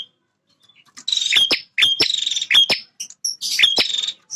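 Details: A male bar-winged prinia calls persistently in defence of its territory. After a quiet start, four buzzy, grating high trills follow closely, each punctuated by a sharp click and a short whistled note.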